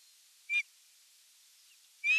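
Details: Nest-camera recording of an osprey at evening feeding, 30 June 2022: a brief high whistled note, then after a pause of about one and a half seconds a longer rising whistle that is cut off.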